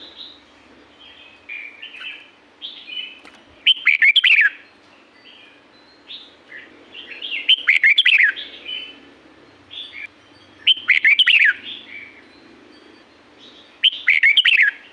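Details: In La-u forest, a red-whiskered bulbul delivers loud, bouncy whistled phrases roughly every three to four seconds, with quieter chirps and fluty notes filling the gaps.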